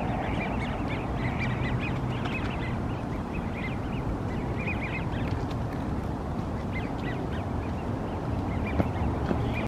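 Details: A flock of wigeon at Green Lake gives many short, high whistled calls that overlap throughout, over a steady low rumble of wind or distant traffic.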